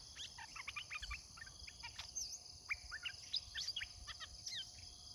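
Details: Red-whiskered bulbul held in a cage as a lure for wild birds, giving lively clusters of short whistled and chirped notes with brief pauses between groups, against constant shrill insect buzzing.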